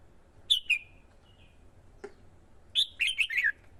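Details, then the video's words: Red-whiskered bulbul male in Vietnam, caged decoy excited by a female to sing competitively and attract wild birds; two loud whistled notes, a pause, then a lively run of four descending warbled notes. "CHIM CHÀO MÀO KÍCH CHIM HÓT MỞ MỎ CĂNG LỬA HÓT ĐẤU"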